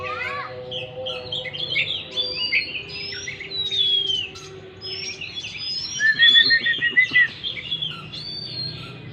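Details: Oriental magpie-robin singing, meant to prompt a stressed bird that has gone quiet; rapid mix of clear whistles, sweeping slurs and a stuttering trill near the end, with a low humming tone early on.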